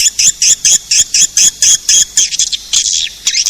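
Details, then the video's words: Edible-nest swiftlet attraction call: loud, high, chirping bursts repeated about twice a second, becoming more irregular and slurred toward the end. "Suara pemanggil burung walet"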